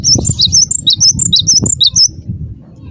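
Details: Energetic cinereous tit lure call for prompting others of its kind to answer: around fourteen loud, high whistled notes alternating between two pitches in an unbroken two-second run, with low rumbling underneath.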